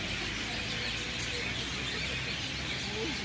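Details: Flock of birds in a banyan tree at sunset in Lahaina, West Maui, filling the air with continuous overlapping high chirps and tweets, no single voice standing out, with a soft low background hum.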